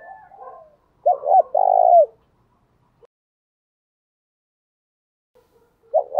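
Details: Spotted dove decoy cooing, used to stimulate and train male doves. Faint soft notes open the clip, then a loud coo: two short hooked notes followed by one long, even, slightly falling note. Another coo begins at the very end.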